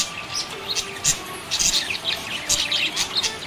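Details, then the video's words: Cheerful budgie chatter: quick bright chirps and scratchy twitters packed into short bursts, with a few louder clicks standing out over a thin steady tone. "Happy budgie chirping sound"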